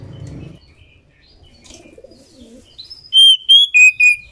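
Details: Captive female white-rumped shama, in breeding condition, singing to provoke males into song. Soft twittering and rustling lead into four loud whistled notes in about one second, two higher level notes followed by two lower ones.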